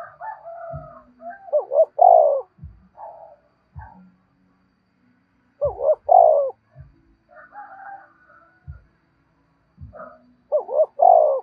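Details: Spotted dove cooing to lure other doves, a three-part phrase of two short notes and a long burry coo, repeated roughly every four seconds, with softer higher calls and low knocks between phrases.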